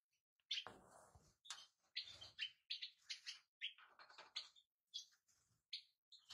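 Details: European goldfinch calls: quick, high twittering chirps repeated many times at an irregular rhythm. Soft fluttering and rustling noises come through between the notes.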